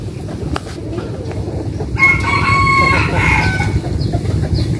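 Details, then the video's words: Chicken crowing in the morning at a village home in Vietnam's western region. A moderately loud crow with a long, even, tonal middle part is heard over constant low-pitched background noise. "Tiếng gà gáy buổi sáng"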